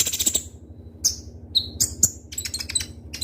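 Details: Kolibri ninja, a ruby-cheeked sunbird, singing sharply as a lure for other birds: scattered very high piercing chips and short falling notes with pauses, then a fast twittered burst, low mechanical hum beneath.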